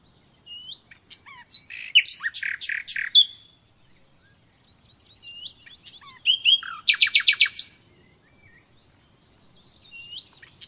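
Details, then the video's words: Common nightingale song, natural recording: two phrases, each of scattered whistles and clicks building into short bursts of loud, rapid, rattling notes, separated by quiet pauses with faint high warbles. "Doğal Bülbül Sesi Dinle"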